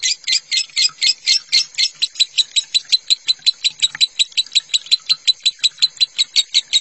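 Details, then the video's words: Lovebird singing in the minor style for teaching other lovebirds, water sound therapy in the background: bright high chirps in a long even series, rhythmic and unbroken, slightly quicker at first. "Suara lovebird minor masteran lovebird konslet"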